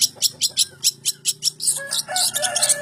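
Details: Long-tailed shrike voice: a rapid run of harsh, scratchy notes repeated about five times per second, then merging into a denser, buzzier chatter toward the end.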